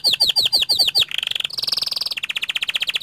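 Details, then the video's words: Short burst of panda canary song: a run of quick downward-slurred whistles, then a buzzy mid-pitched roll, a higher sustained trill and a steady pulsing trill at about ten notes per second. "Suara Kicau Kenari PANDA Gacor Ngerol Nembak Panjang"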